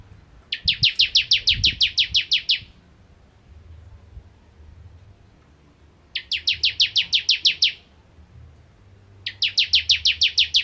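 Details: Bar-winged prinia in full 'nembak ngentrok' song, delivering three long trills of about a dozen rapid, evenly spaced, high downslurred notes each, separated by pauses of several seconds; low hum and a few soft knocks beneath.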